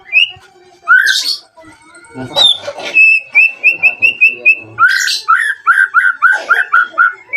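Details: Song of a white-rumped shama used to provoke other shamas into singing: a sharp whistle and harsh calls, then a fast run of repeated even whistles and a long series of downward-slurred rhythmic notes.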